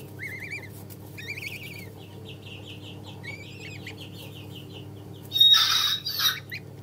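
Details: Chinese goose chicks, three days old, calling in long wavering peeps that rise and fall, then shorter quick peeps, ending with a loud burst of rustling or handling noise over a low hum.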